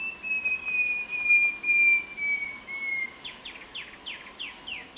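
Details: Short-tailed babbler singing: a long, thin, high whistle sliding slowly downward for three seconds, then a run of short descending slurred notes about twice a second, over a steady high insect drone.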